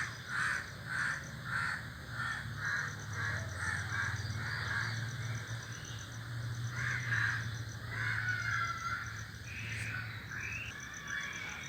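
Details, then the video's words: Crows in a flock perched in a tree make noise: a quick run of rasping caws at roughly two per second, then a pause and a tangle of overlapping harsher calls, all above a constant low mechanical hum. "A flock of crows sitting on the tree is making noise"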